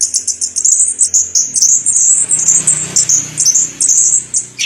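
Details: Orange-headed thrush in long-duration song, delivering a fast unbroken stream of very high, thin, ringing notes at a steady pitch, with soft low background hum.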